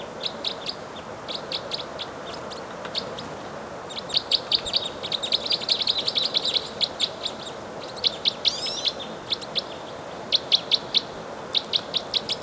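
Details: Red crossbills in Bayfield County, Wisconsin, on 15 March 2018, types 2 and 4 present: many short sharp chips and kips in rapid overlapping bursts from several birds over steady broadband wind or water noise.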